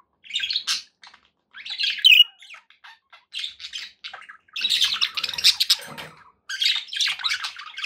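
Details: Kept budgerigars give short squawky chirps in separate bursts, then break into a longer run of rapid warbling chatter.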